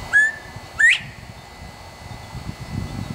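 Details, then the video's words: In Texas, a male Northern bobwhite calls loudly from a nearby tree: a brief level whistle followed quickly by a rising slurred note. Low rumbling background noise follows. "Sounds of a Male Bobwhite in Texas"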